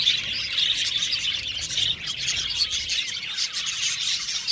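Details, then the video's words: Budgie aviary flock giving continuous chirps and trills, a dense, high-pitched babble of many voices with short squeaky notes standing out. "Beautiful budgies chirping sound"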